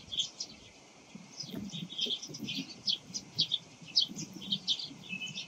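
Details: Eurasian tree sparrow morning calls: sharp, clear chirps repeated irregularly, louder notes roughly every half second toward the end, with faint low rumbling beneath.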